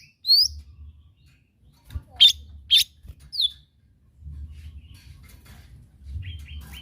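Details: Lesser green leafbird in rural surroundings giving rising whistled notes and sharp chattering bursts spaced about half a second apart, then a few soft repeated chirps over low background hum.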